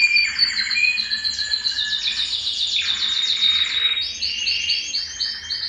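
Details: Belgian canary singing to stimulate males and bring females into breeding condition: high rapid trills and rolling buzzy phrases, shifting pitch every second or so, ending in a series of repeated bell-like notes.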